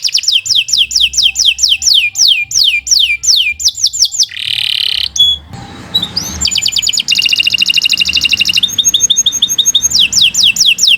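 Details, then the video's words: Canary delivering lengthy song as a master recording for other birds: rhythmic descending whistles, a buzzy burst, a rising slurred note, then a prolonged dense trill and more falling sweeps. "Kicau Burung Kenari 149 II LUAR BIASA GACOR PANJANG Cocok untuk Masteran"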